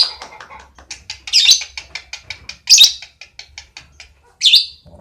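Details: Lovebird chattering in a relaxed ngekek style: a steady series of rapid clicking ticks, with three strident high squawk bursts spaced about one and a half seconds apart.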